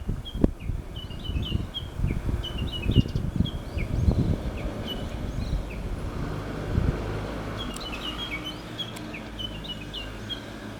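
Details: Japanese bush warbler singing unseen this year, giving its textbook kekyo kekyo kekyo series: many short, high, quickly repeated notes spread across the recording over steady low rumbling background noise.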